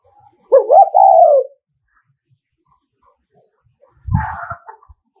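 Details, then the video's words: Decoy spotted dove from Nghệ An calling in the 'thúc gù' style used to provoke rival males: a soft double note leading into a sustained, gently falling coo, followed after a pause by a rough, noisy knock. "Tiếng Chim Cu Gáy Thúc Gù"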